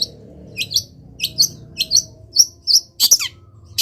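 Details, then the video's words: Caged long-tailed shrike singing happily in morning sun after being misted, its cover opened: a series of short high chirps and whistled notes repeated about every half second, ending in a harsh broadband squawk, with faint low room hum. "BURUNG CENDET SANGAT BAHAGIA KETIKA DI EMBUNKAN DAN KENA MATAHARI PAGI - CENDET GACOR FULL ISIAN"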